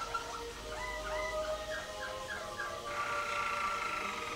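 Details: Caged Waterslager canary singing in the 2011 WWC contest, a bird scored for Klok and Bol tours: soft, watery series of short harmonic notes rolling in quick succession, then a steadier tonal passage, all over faint room hum.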